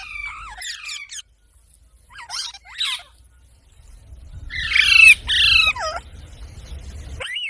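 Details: Talking parrot, presented as imitating human voices, gives short whistled and harsh notes with gaps, then two loud grating squawks and a final rising whistle over low background noise.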